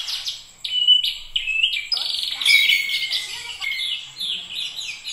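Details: Oriental magpie-robin singing clear whistled notes that slide downward, followed by rapid scratchy twittering and longer mixed phrases, loud and varied throughout.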